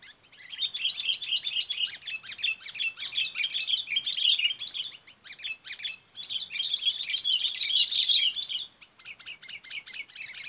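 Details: Long excited chatter of rapid, tightly packed, bubbling notes from a sooty-headed bulbul being lured as a fighting rival. Two bursts are separated by a short pause, followed by a scratchier tail.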